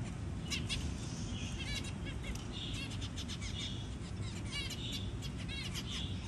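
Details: Zebra finch feeding its newly hatched chick; a busy run of short harmonic chirps mixed with brief buzzy tones, continuing over a constant low background hum.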